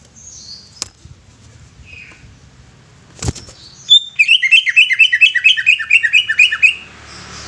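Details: Greater green leafbird, known locally as cucak ijo, delivering a rapid run of repeated whistled, slurred notes, about twelve in quick succession, preceded by a few thin high chirps and two sharp clicks.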